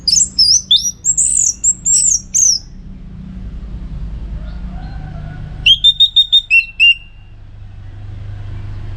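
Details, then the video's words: Orange-headed thrush singing as tutor for song-contest birds: a long run of twisting, high varied whistles, a pause, then six quick identical whistles repeated in a row and a falling tail note. "Masteran ANIS MERAH Gacor Untuk Melatih Mental Burung Untuk Gantangan"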